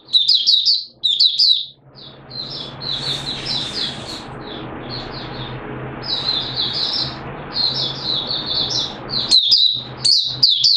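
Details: Malaysian Oriental white-eye singing in Singapore, warm humid day with sudden showers, 29 March 2023: high chattering twitter phrases continue while a steady hiss of rain-like noise and low hum fill the middle of the recording.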